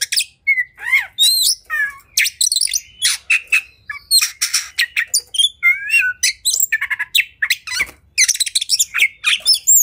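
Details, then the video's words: Fighting oriental magpie-robin in high emotion, song meant to provoke rivals to spread their tails; loud stream of mixed rising and falling whistles, chattering phrases and grating squawks delivered in quick succession. "Kacer Gacor Tarung Emosi Tinggi! Buat Kacer Lain Langsung Ikut Emosi Auto Buka Ekor"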